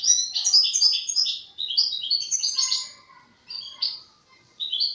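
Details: European goldfinch juvenile practising song: a lively, rapid string of bright twittering notes with some lower trilled elements, then shorter broken fragments after brief gaps.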